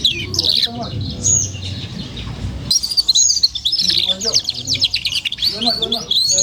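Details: Four-month-old F1 SF canary giving ngeriwik twittering: bright high chirps, a brief pause, then a long run of rapid trilled and buzzy notes with soft low murmuring beneath.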